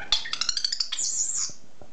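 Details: Pet common starling indoors singing: a rapid series of clicking, rattling notes followed by a high, buzzy, wavering squeal.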